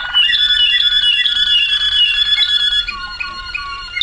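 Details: Waterslager canary song from 2009: a loud sustained ringing tone, followed by a series of short falling whistles.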